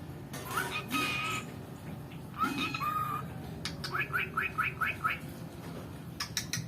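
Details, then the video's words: Pet cockatiel that copies words taught by its owner's mother, performing amid household speech: clear whistled notes with short slurred phrases, then a quick run of five rising chirps and a few sharp clicks near the end, over a low background hum. "মায়ের সব কথা অনুকরণ করে এই পাখি | Talking Cockatiel bird | It can sing"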